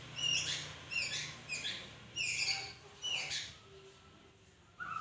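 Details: Magpie-robin repeating high chipping notes roughly every half second to second, six bursts with brief softer tones between, ending on a louder whistled note, over a low background hum.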